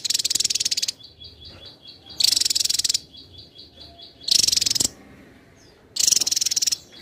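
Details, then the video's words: Javan tesia recorded for competition song training, singing densely: four short, loud, buzzy bursts of very high rapid notes about every two seconds, with a soft pulsed tone in the pauses. "Tesia jawa gacor rapat"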